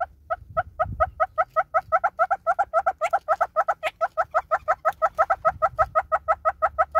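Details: Southern red-billed hornbill in South Africa giving a long series of rapid clucks, roughly five per second, doubled-looking notes growing louder and more emphatic through the run; low background rumble.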